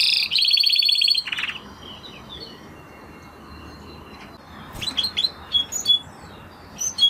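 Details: Spanish Timbrado canary singing: a loud, rapid metallic trill for about a second, a quiet pause, then a scattered run of short, high, sharp notes and chips.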